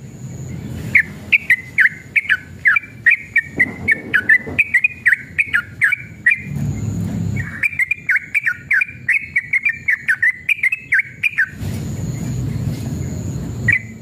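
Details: A Yellow-vented bulbul in an agitated, combative mood pours out long, fast runs of bubbly, whistled notes, rising and falling, with brief pauses between runs; a low traffic rumble sounds underneath.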